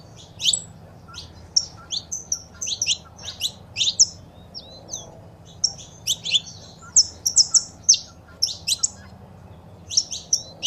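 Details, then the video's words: Saffron finch, female calling and male singing, a stimulus track for caged birds. Irregular bursts of sharp high chirps, loose at first, then denser runs of quick notes near the end. "Foguea seu Canário da Terra com Esse Piado de Fêmea e o Macho Cantando"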